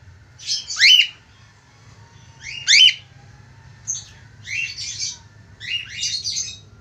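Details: Budgerigar (Australian parakeet) whistling and chirping to call a female: five bursts of high, scratchy warbled chirps with quick rising whistles, about one every second or so, over a low steady hum.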